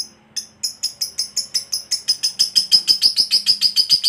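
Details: Lovebird fighter starting its ngekek, a lure to provoke answering birds: sharp high chirps that speed up and grow louder, from a few separate notes into a quick run of about six per second.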